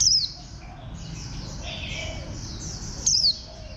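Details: Warbling white-eye, described as a bantam-shaped green white-eye: two sharp, high chirps dropping steeply in pitch, about three seconds apart, over a dense background chatter of many other small birds.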